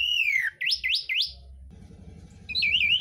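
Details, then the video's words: Asian pied starling singing with mimicry of birds such as greenbul, magpie-robin and bulbul: a long falling whistle, then three quick rising slurred notes, a pause, and a warbled trill over faint low hum. "JALAK UREN ISIAN MEWAH"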